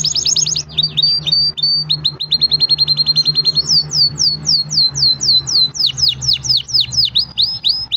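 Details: Energetic song of a green canary: rapid high trills in several tours, each a different pitch, followed by loud down-slurred whistled notes repeated several times a second, clear over a faint low hum.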